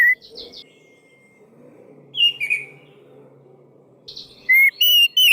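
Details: Lure song of an orange-headed thrush, played to get silent birds singing: scattered buzzy chatter and a thin held whistle, then quiet, ending in loud whistled phrases and high rapid trills.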